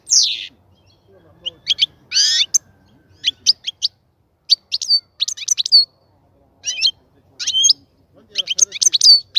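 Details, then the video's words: European goldfinch kept in a cage prepared for breeding gives short clusters of sharp twittering notes and a buzzy rasp, separated by brief silences, with some sliding whistled elements. "شاهد الفيديو تحت الغناء الجميل جدا لحسون الحسون"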